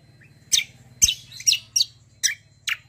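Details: Greater green leafbird delivering loud, sharp, high-pitched chips roughly every half second over a steady low hum.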